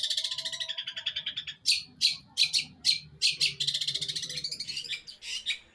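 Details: Eight-month-old long-tailed shrike from Jember, East Java, Indonesia, sings an unbroken mimicry medley of gereja, kuntilanak and tengkek buto. A fast buzzy trill gives way to harsh, loud chattering bursts about three per second, with a steady rattle behind them.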